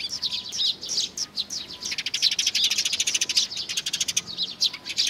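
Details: Eurasian tree sparrows coming to be fed at a water bridge, 4 June 2020; a dense flock of overlapping short chirps and tweets, rapid and continuous throughout, with some brief louder notes standing out.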